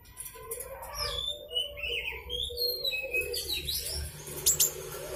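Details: Master recording of a young Blue-crowned hanging parrot, meant to coax other birds into singing. Rapid chirps and short whistles rise and fall in busy, uneven phrases, with a faint background drone and a few sharp clicks near the end.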